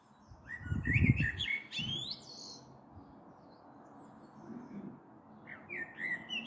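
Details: Common blackbird in evening song before a possible storm, April 2022: a short warbled phrase rising into high twittery notes, a pause, then another brief fluted snippet, with loud low thumps and rumbling at the start.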